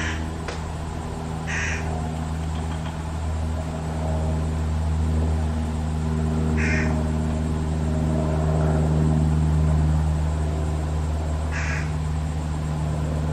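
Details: Parent Fish crows feeding their single fledgling: three brief nasal calls spaced about five seconds apart, with a persistent low rumbling hum underneath.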